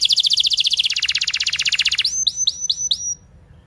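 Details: Chatty canary in a long training song for young canaries: a fast dense trill lasting about two seconds, then five separate upward-sweeping whistles, then quiet.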